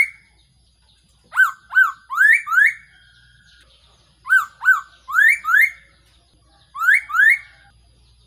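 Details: Black-throated laughingthrush, used as a decoy call for trapping: three bursts of loud whistled notes, each a few short downslurred whistles followed by rising slurred ones with ringing overtones, separated by quiet pauses.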